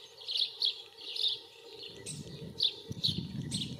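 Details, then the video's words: A singing, courting common starling gives short bursts of high, chattering notes and clicks, several each second, over a low rumble of wind. "Der Gesang des Stars/The singing of the common starling"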